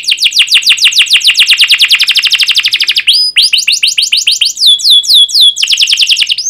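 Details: Domestic canary in long, emotional song meant to prompt young and silent canaries to answer: a rapid, loud run of repeated chirps, then a sequence of sharp descending whistled notes.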